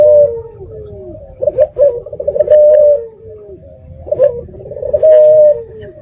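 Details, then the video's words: Local red-eyed dove singing as a lure call that provokes other doves to answer, recorded on Jumat Kliwon eve: low throaty coo phrases, each ending in a falling note, repeated about every two and a half seconds. "Pancingan Burung Puter Mata Merah Gacor"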